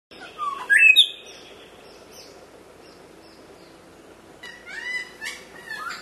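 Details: Grey shrike-thrush (Colluricincla harmonica) calling at Kobble Creek, SE Queensland, in September 2010. It gives a loud, rich rising whistle, then after a pause a quick run of clear, ringing notes, with faint high chirps from other birds behind.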